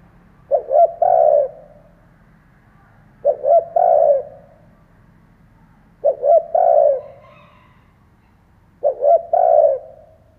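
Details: Four evenly spaced cooing phrases from a decoy spotted dove, used to excite other doves. A new phrase comes about every 2.8 seconds: clipped double notes, then a longer soft coo. A faint low hum runs underneath.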